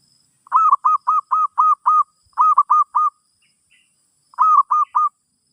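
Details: Zebra dove song for teaching a new bird: an energetic run of six staccato coos, then three, then three more after a pause, each note short and slightly rising, delivered in a rapid, even rhythm.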